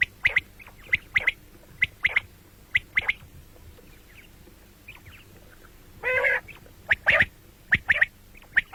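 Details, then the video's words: Common quail calling morning and night: crisp whistled notes clustered in twos and threes at an irregular pace, with one longer harsh, throaty call partway through and quiet gaps between bursts. "бедана batair ki awaz quil sound beautiful morning and night بٹیروں کی سپیشل زبردست آواز صبح رات"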